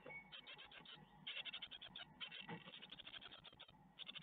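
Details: Great tit chicks in an Ostwald nest, 12 May 2021, being fed a spider, utter bursts of quick, grating chirps, briefly interrupted by a faint thin whistle and soft rustling in the nest.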